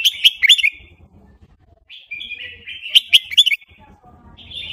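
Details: Red-whiskered bulbul of Burmese stock singing a rapid wild song, with loud chattering warbles punctuated by crisp clicking notes, two main bursts with a softer whistled trill between, and a low hum beneath.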